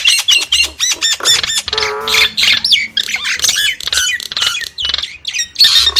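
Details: Varied song of a Nias hill myna. Repeated short looping whistles open the phrase, then a nasal harmonic honk follows, and clipped sharp notes and high whistles finish it.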